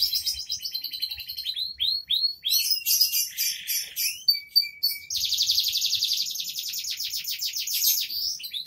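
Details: Canary in 'gacor dor' song: descending slurred notes, then a short buzzy burst, a few thin steady whistles, and a long rapid rolling trill in the second half.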